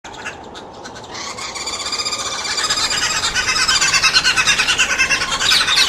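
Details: Green wood hoopoe, noisy at a feeding table; harsh cackling chatter builds from quiet to loud, rapid rhythmic notes about three per second, dense and raspy.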